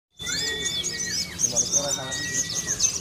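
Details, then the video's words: Sunda leafbird tutored with bar-winged prinia (ciblek) song material sings a rapid, high jumble of twittering and chirping phrases, with thin sustained whistles running underneath and faint voices in the background. "SOGON MATERI CIBLEK"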